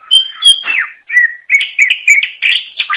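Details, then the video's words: Greater green leafbird (cucak ijo), an Indonesian songbird, singing to attract its own kind; a clear high steady whistle, a falling slur, then a fast chattering string of varied chirps and whistles. "Suara Kicau Burung Cucak Ijo Durasi Panjang Untuk Memikat"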